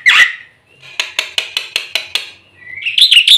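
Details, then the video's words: Black-winged myna song with fill-in phrases for training birds. It has a harsh opening burst and a row of sharp clicking notes, then a rising whistle into a chattering, squeaky phrase. "suara burung jalak putih full isian"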